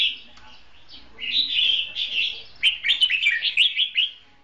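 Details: Red-whiskered bulbul singing in a trap duel as a decoy bird, loud rich warbled phrases of quick rising and falling whistled notes, a continuous run then a rapid burst of short repeated notes.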